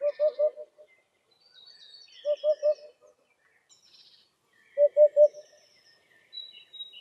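Eurasian Hoopoe giving soft, low, hollow triple notes, 'oop-oop-oop', repeated about every two and a half seconds, with faint high chirps from other birds behind.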